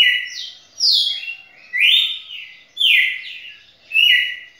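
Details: Red-cowled cardinal (galo-de-campina), a champion singer, singing a continuous run of loud whistled phrases, each a rising then falling sweep with sharp high notes, repeating roughly once a second with no other sounds.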